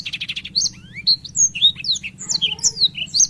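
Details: Long continuous singing from a black-throated canary: a buzzy trill opens, then fast slurred whistles rising and falling, one note after another, with a low background hum.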